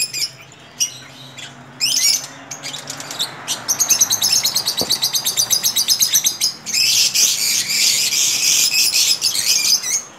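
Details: Lovebird breeding colony, several birds calling: scattered sharp chirps at first, then a fast run of evenly repeated high squeaks and a loud continuous shrill chorus toward the end, with faint low hum beneath.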